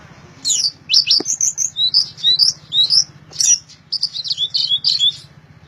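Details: Orange-headed thrush singing loudly and continuously: a rapid chain of clear, varied whistled notes, some rising and some falling, about two per second, over a faint low hum.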